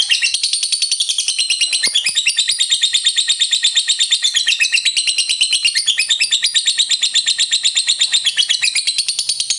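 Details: Lovebird in full, energetic ngekek song, a long unbroken trill used to stir rival lovebirds into singing: rapid chattering pulses packed tightly together, high and bright, running without pause.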